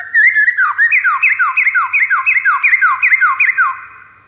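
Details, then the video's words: White-rumped shama master song meant to lure rivals: a rapid, rhythmic series of swooping whistles, each sliding downward, repeated about three times a second for nearly four seconds in a clean recording. "PIKAT MURAI BATU LAWAN DENGAN MASTERAN MURAI BATU SATU INI"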